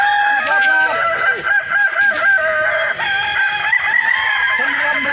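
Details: Crowing contest of Balenggek chickens in Kota Solok: many roosters call together, producing dense, overlapping stepped crows that rise and fall without pause, over a soft background of people.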